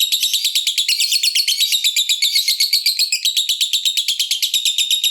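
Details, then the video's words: Lovebird fighter's extended ngekek: an unbroken run of fast harsh rattling pulses, buzzy and high, continuing for over five seconds, meant to set other lovebirds singing. "Suara Ngetiknya Bikin Lovebird Manapun Cepat Terpancing Ngekek dan Cepat Bikin Musuh Ikut Gacor"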